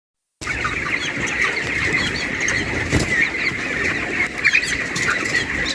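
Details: Broiler white chicks on a farm, a dense flock chirping continuously in soft, overlapping high peeps, with a steady rustling farmyard background and a brief thump near the middle.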